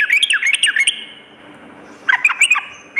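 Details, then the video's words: Sooty-headed bulbul at night, recorded as training therapy for kept birds: a short run of chattering, slurred notes, a pause, then a second quick burst of bubbly, up-and-down notes. "terapi trucukan dimalam hari_ampuh mendongkrak mental fighter burung trucuk"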